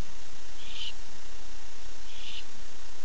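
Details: At night a male barn owl calls to his mate at 9:54 pm, nest-box camera recording: two raspy, breathy screeches about 1.5 seconds apart, each roughly a third of a second, with constant low hum behind.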